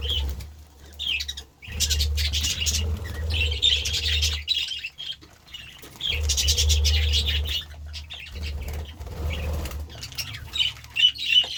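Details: Several budgerigars eating vegetables, chattering in dense bursts of high scratchy chirps and squawks, broken by short quiet gaps, with rustling, crunching noises and a steady low hum beneath.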